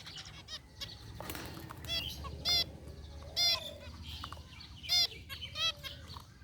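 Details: Aviary zebra finches, a flock with a white bird among gray ones: loud, clear nasal honking beeps stand out about every second, over quieter chirping and hum.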